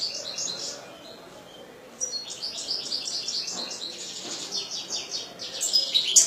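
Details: Caged European goldfinch kept by a hobby breeder, singing a rapid twittering song of high tinkling notes and buzzy trills, starting softly then growing louder and denser, with harsh scratchy notes near the end.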